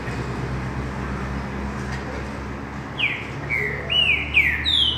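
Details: Green-winged saltator singing in the mateiro style: after three seconds of background hum, a run of clear, slurred descending whistles follows in quick succession, each falling in pitch, the last note higher and sharper.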